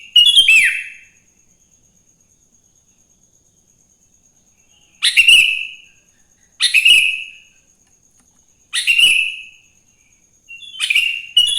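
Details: Morning song of a sooty-headed bulbul, played to prompt other bulbuls to sing: five short, loud, bubbly phrases with downslurred whistles, spaced about two seconds apart with silence between.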